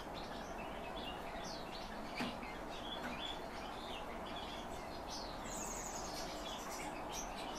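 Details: Calandra lark, a kept bird, singing: scattered short chirps and slurred high notes, some rising and falling, spread loosely over the clip against a steady low hiss.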